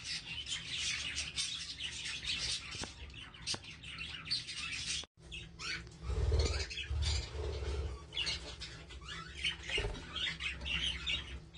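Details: Budgerigars alongside chicks producing ongoing high chirping chatter, briefly cut by a short silence midway, then resuming with louder twitters over a low hum.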